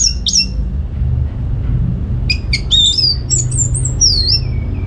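Orange-headed thrush singing varied, high whistled phrases with slurred rising and falling notes and quick chips, over a steady low hum.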